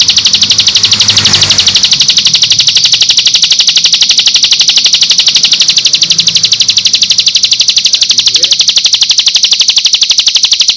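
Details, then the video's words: Bar-winged prinia song used as a lure to make other birds answer. A long, unbroken high trill of rapid, regular pulses, about four each second, over faint low background noise. "Pancingan Ciblek Gacor Dijamin bikin Ciblek Langsung Nyaut"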